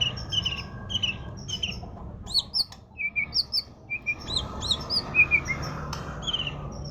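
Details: Murai (magpie-robin) singing a varied series of high whistles, chips and short trills in quick, uneven bursts over low background hum.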